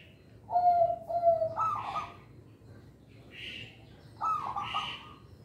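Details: Local zebra dove cooing as a lure for young birds: two smooth low coos followed by a higher, rougher note, then a short hissing rasp and another high coo with rasp overlaid.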